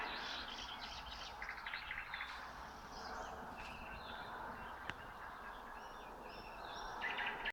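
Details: Common nightingales with other birds singing at 3 a.m. on 27 May near Red Hill, Voskresensky district, Moscow region, Russia: a dense, overlapping chorus of whistles, trills and chirps runs throughout, with one sharp click near the five-second mark.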